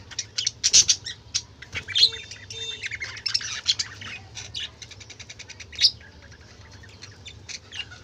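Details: Budgerigar chatter from colourful birds: quick high chirps and scratchy warbles, louder early on, then thinning into softer rapid ticking notes over a low steady hum.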